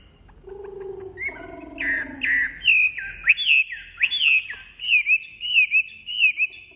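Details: Wambi bird singing: a low hum and lower tones at first, then a series of loud whistled notes that swoop up and down, repeated at a moderate pace.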